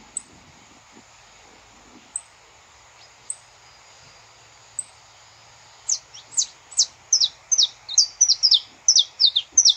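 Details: Saffron finch in the wild: a few isolated faint ticks, then an energetic series of high, sharp, descending chips that grows louder and faster, some notes paired.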